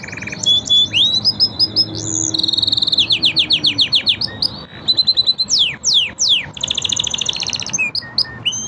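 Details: Canary training song by five birds: a varied run of sharp chirps, rising whistles and fast rhythmic trills about three notes a second, with clusters of steep downward slurs.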